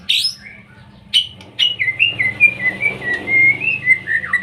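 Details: Young white-rumped shama used to stir other birds to sing: a high opening note, then a long run of rapid warbled whistles wavering up and down in a continuous ripple.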